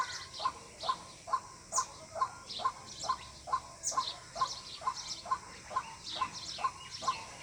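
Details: Lure call of a White-breasted waterhen for bird hunting: a long, very regular sequence of brief hollow notes, about two each second, accompanied by frequent high, thin chirping from other birds.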